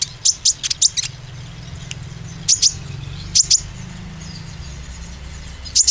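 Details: Oriental white-eye lure for green and spotted birds: a quick burst of four loud high chirps, then spaced pairs of sharp notes with gaps, above a steady low hum.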